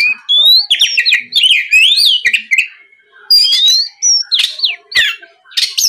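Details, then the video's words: Singing Oriental magpie-robin, played as a lure so other magpie-robins start to sing: dense bursts of varied whistles and chirps, fast downslurs and rising notes in phrases with brief pauses. "SUARA PIKAT BURUNG KACER GACOR NGEPLONG"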